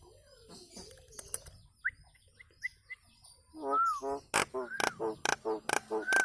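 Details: Nias hill myna song used to train cage birds: a soft warbling start and a few thin whistles lead into nasal, harmonic phrases broken by sharp clicks and arched whistled notes.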